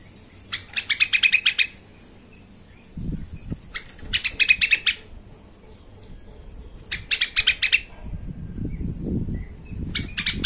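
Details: Emotional yellow-vented bulbul lure recording meant to make other bulbuls answer: three harsh, buzzy rattles roughly three seconds apart, each a quick train of pulsed notes, with low thumping handling noises in between.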